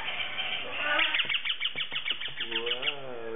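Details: A hungry 6.5-week-old lacewing Indian ringneck parakeet waiting for lunch gives rapid, rasping begging squawks, about three per second, over a low background hum and a faint human voice.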